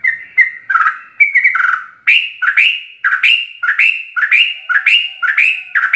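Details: Sooty-headed bulbul giving rapid 'ropel' song full of varied phrases, used as a master recording to tutor caged birds: hurried bubbling whistles, then about ten bright rising-falling phrases repeated roughly twice a second.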